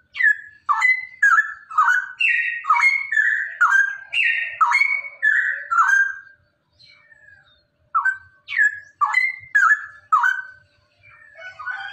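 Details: Male Straw-headed Bulbul (cucak rowo) singing a rapid "ropel" song, played so other cucak rowo will sing: rich, liquid whistled phrases of slurred falling and rising notes in quick succession, a short pause mid-clip, then the bubbling phrases resume.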